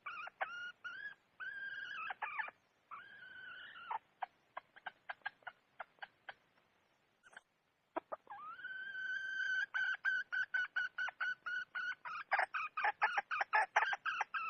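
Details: Red junglefowl hen calling in bursts: drawn-out nasal notes and rapid sharp clucks, a brief pause, then a long rising note leading into fast, evenly repeated cackling syllables.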